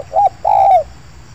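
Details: Spotted dove at an oil palm plantation during a dove-luring session: a short two-part coo, a brief low note followed by a longer, slightly wavering mellow coo, with nothing else heard.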